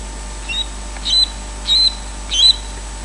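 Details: An osprey at Loch Garten, Scotland, gives four short, high whistled intruder-alarm notes, each bending around a sharp peak, about two every second.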